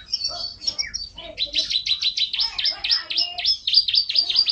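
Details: Canary song: a few high chirps give way to a long fast trill of repeated buzzy notes, steady and rolling, bright and high-pitched throughout.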